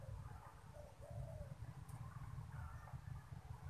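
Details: Kept ornamental spotted dove cooing as strangers approach: soft, low, drawn-out coo notes rising and falling in a short series, partly masked by a steady low rumble of background noise.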